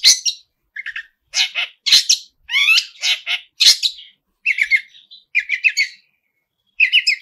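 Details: Long-tailed shrike singing vigorously, its song packed with mimicked phrases: harsh squawky bursts alternate with short chattering notes and buzzy trills, in separate phrases with brief pauses between them.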